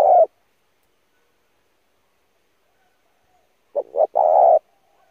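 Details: Spotted dove cooing used as a lure to train decoy birds: the tail of one coo, a long silence, then a single phrase of two short hoots and a longer low coo.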